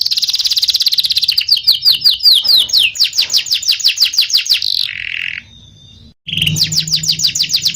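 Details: Canary singing vigorously in rolling and shooting style: a steady fast trill, then a series of descending swept notes and rattles. A lower buzzy phrase and a short silence follow before the trilling resumes.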